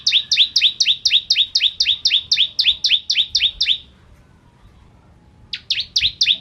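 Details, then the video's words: Bar-winged prinia in full song, used to tutor white-rumped shamas: paired high notes, a sharp upper chip followed by a lower swooping one, repeated quickly for nearly four seconds, then silence and a restart. "Masteran Ciblek Kristal Gacor"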